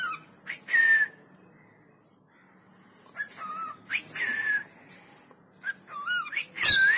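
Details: Cockatiel singing indoors: scattered clear whistled notes, some slurred downward and others looping up and down, separated by quiet gaps, with faint room noise throughout.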